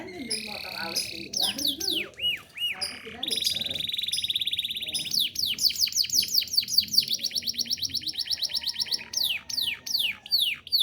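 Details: Domestic canary singing a master song for training other birds: rapid downward-sweeping whistles, buzzy rolling trills held for several seconds, and looping rising-falling notes, all high and continuous.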